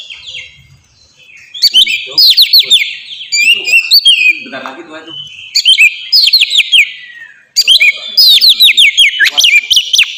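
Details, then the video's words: Kacer, the Oriental magpie-robin, in melodious ngeplong song used to coax young birds into singing; bursts of quick downslurred whistles repeat in clusters separated by short quiet gaps. "suara burung kacer ngeplong merdu sangat ampuh buat pancingan kacer bahan bikin cepat gacor"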